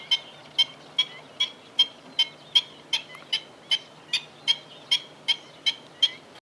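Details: Black-winged stilt at Fubao, Changhua, Taiwan, on 28 April 2012 around 11:15 am, repeating sharp, nasal yapping notes, about sixteen in six seconds at a steady brisk pace, over a faint low hum.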